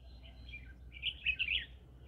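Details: Green-cheeked conure living in the middle of a rice field, giving soft chirps followed by a quick burst of louder, squeaky twittering notes, with a low steady rumble beneath.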